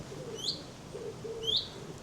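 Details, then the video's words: Common redstart in Norfolk around 5 pm, during a birding day along a route through Welney, Dersingham and Titchwell Marsh to the coast: two thin, sharply rising whistled 'hweet' notes about a second apart, over a soft, low cooing murmur. "that sounds like a red start."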